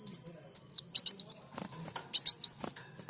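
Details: Energetic sunbird (kolibri daun) song as a training master: high, piercing downslurred whistles alternating with paired rasping clicks, delivered in quick, uneven phrases.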